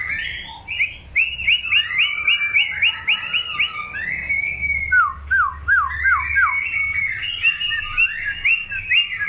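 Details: Long-tailed white-rumped shama singing during pairing for breeding: rapid trilled runs of short repeated whistles, a series of swooping downward notes in the middle, then more quick repeated phrases.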